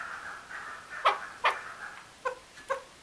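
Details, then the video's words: Male chukar calling: a soft, steady tonal hum gives way to loud, harsh clucking notes, four sharp bursts spaced unevenly, roughly half a second apart, over a quiet background. "Chakor Sound | The Best Voice of Chakor/ Chukar | Male Chakor ki Awaz"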